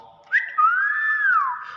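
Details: Common hill myna, a clever talking bird said to speak the word "bakpao", gives a short, sharp upward note followed by one long whistled tone that swells upward and then slides down, in a small indoor room.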